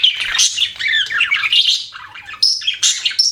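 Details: Pet budgie chirping in tumbling warbled phrases, with wavering squeaks and a few high, piercing notes toward the end.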